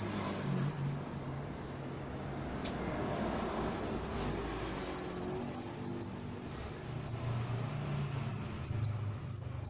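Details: Ruby-cheeked sunbird kept for Indonesian song competitions, its song filled with cricket-like phrases. Shrill high notes come in loose runs, with two fast buzzy rattles, then scattered single and paired chips, over steady low hiss.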